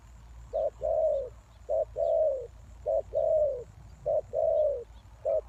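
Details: Lure spotted dove calling to draw in wild doves: steady, evenly spaced pairs of a short coo and a longer falling coo, about one pair per second, with occasional faint high chirps of other birds.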